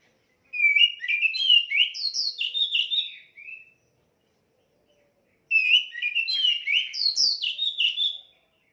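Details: Orange-headed thrush singing loudly, a varied run of whistled and chirping phrases between about 2 and 6k, two bursts of roughly three seconds separated by a pause, clean background.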